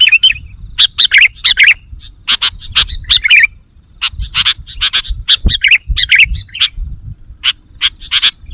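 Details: Busy, excited chattering of sooty-headed bulbuls used as a lure for wild birds: rapid, closely packed chirps and liquid notes in quick succession, several voices seemingly overlapping, with a faint steady high tone behind.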